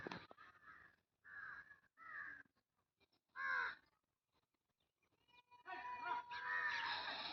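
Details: Indian crows in green village surroundings near Hosur: harsh, nasal caws in short bursts, three close together, then a louder one, followed by overlapping calls from several crows near the end.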